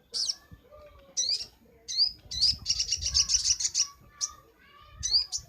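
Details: Sunbird singing for a bird-training master recording: quick upward-sweeping chips spaced about a second apart, then a dense buzzy rattling trill of about a second and a half.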